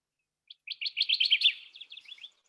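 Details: A male Kirtland's Warbler sings one loud, rapid burst of chattering notes lasting under two seconds, starting low and ending brighter; no other sounds are heard.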